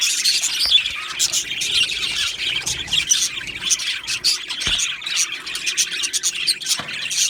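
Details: Budgerigars in an aviary colony: a dense, continuous chorus of high chirps, squawks and warbling chatter from many birds at once, with a couple of sharp clicks and a faint steady low hum underneath.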